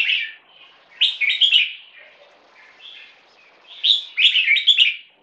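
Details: A competition-bred hybrid bulbul, 75% Red-whiskered crossed with Stripe-throated Bulbul and aged 1.5 years, is kept in a cage during a loudness test. It gives two loud, jumbled, bubbling song phrases separated by softer warbles.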